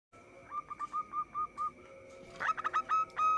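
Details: Local zebra dove, used as a lure for trapping, giving a rapid series of short, clear, evenly pitched cooing notes, then a louder burst of quick notes.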